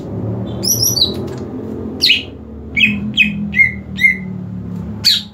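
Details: Cucak ijo, a green leafbird in competition training. High twittering opens the clip, then a series of sharp, downward-sliding whistles comes roughly every half second. A low rumbling background is present throughout.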